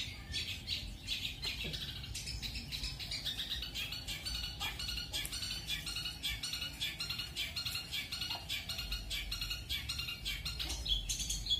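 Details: Long-tailed shrike (cendet) singing as training material, in 'roll speed' and 'roll tembak' styles: a dense, rapid run of sharp, high chattering and squawking notes repeated almost without pause, with a low hum underneath.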